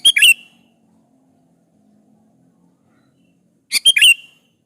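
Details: Two quick phrases from a sooty-headed bulbul in full song, played to make other bulbuls answer. Each is a short burst of clicky notes and a bright slurred whistle, separated by a few seconds of near silence.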